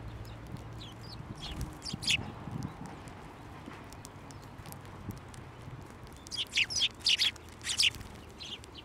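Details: Sparrows at a Tenmangu shrine, 29 January 2024, flying to a hand for food; a few soft chirps early, then a lively sequence of loud, high chirps toward the end over faint ambient noise.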